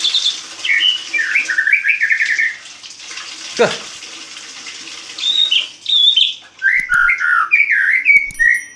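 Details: At dawn a caged white-rumped shama sings ngeplong style after its cage is uncovered: warbled, chattering whistles, then a knock, a pause of hiss, and more rich whistled phrases over steady rushing noise.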